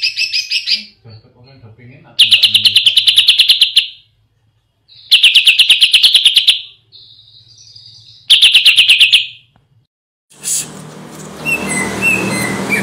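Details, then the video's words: Greater green leafbird singing, recorded as a reference for training other birds: repeated fast, ringing trills lasting about two seconds each, separated by pauses, ending in noisy rustling. "CUCAK IJO GACOR NGENTROK ..!! COCOK BUAT MASTERAN"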